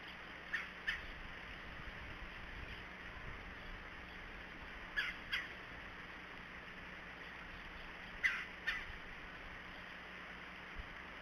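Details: Red-bellied Woodpecker calling off camera at Decorah, 17 January 2013, 11:37, before a second woodpecker flies in: harsh, rolling calls in pairs, three times over about ten seconds, against a steady low hum.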